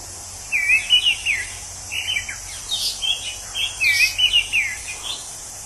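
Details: Orange-headed thrush in its natural habitat pours out a fast, rambling string of looping whistles and slurred notes, said to resemble a drunk person talking, with insects buzzing behind.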